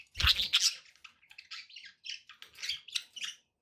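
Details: Budgerigars indoors in continuous busy chatter, dense overlapping warbles and chirps with a few sharp squeaks, a low thump near the start.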